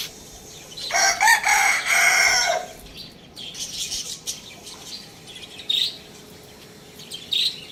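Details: A rooster crows loudly: one harsh, harmonic cock-a-doodle-doo lasting about a second and a half, then quieter high chirps and rustling from other birds nearby.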